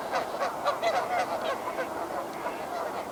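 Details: Geese at Sspopiikimi pond around 8:15 a.m. on 6 March 2020 honk in a dense, overlapping chorus of nasal, brassy calls, several per second, during a territorial fight between two neighbouring geese.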